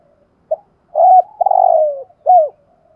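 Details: Single phrase from a spotted dove decoy bird of 'giọng thổ' voice: a short soft note, then a full low coo, a long gently falling drawn-out coo, and a final hooked coo.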